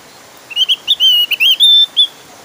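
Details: Javan grey-throated white-eye giving its lively, persistent song, used to lure other white-eyes into singing: a quick run of about seven clear, high whistled notes, some slurred up or down, in under two seconds, against faint hiss.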